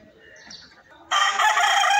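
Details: Rooster crowing: after a second of faint background noise, a loud harsh sustained crow begins and carries to the end.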